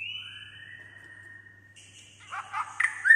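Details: A white-rumped shama, said to sing all day, gives long, clear, slightly falling whistles, followed by quick chattering notes and a sharp high ending, over a faint low hum.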